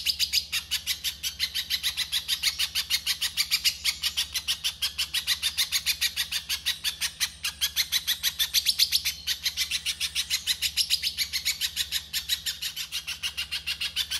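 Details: Spiderhunter in the rough 'konslet' masteran style: a fast, steady stream of sharp, high chipping notes, about three per second, with a brief louder surge midway over a constant low hum.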